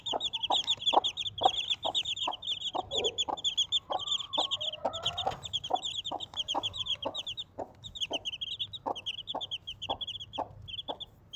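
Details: Desi hen with four chicks clucks steadily in brief low pulses, nearly two per second, beneath constant high peeping from the chicks; a short drawn-out murmuring note appears in the middle.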